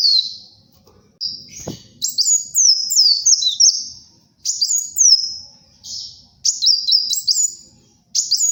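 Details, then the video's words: Brown-throated sunbird in lively song for luring and tutoring birds: high, thin whistled phrases sliding down in quick steps, bursts separated by short pauses, with one sharp knock near the start. "SUARA BURUNG KOLIBRI WULUNG GACOR, UNTUK PIKAT & MASTERAN"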